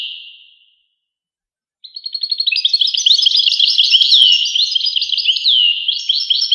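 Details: European goldfinch: a brief whistle fades to silence, then a fast stuttering series of clicks builds into a lively tinkling twitter with falling slurred notes.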